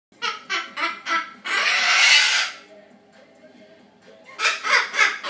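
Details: A pet Triton cockatoo (Cacatua galerita triton) that learned to laugh, mimicking laughter. It cackles four harsh 'ha-ha' notes, gives one long raspy screech, then three more laughing bursts. It laughs along when people laugh at comedies.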